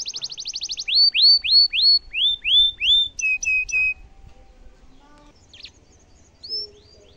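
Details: A domestic canary opens with a fast rattling trill, then sings a run of loud curving whistles and stuttered notes before fading into quiet scattered chirps; cengkok mewah tutoring song.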